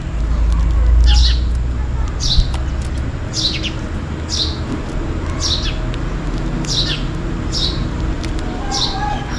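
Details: Sparrow calling for food on a rainy day: eight or nine clipped, downward chirps repeated about once a second in a steady series, over constant low rain noise.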